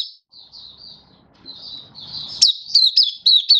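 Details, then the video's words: Malaysian white-eye kept in Singapore, singing happily on a warm, stable, sunny 20 March 2023: quiet high twittering warble for two seconds, then a loud run of piercing quick chirps, with faint low noise behind. "Malaysian Mata Puteh Happy Buka Sing"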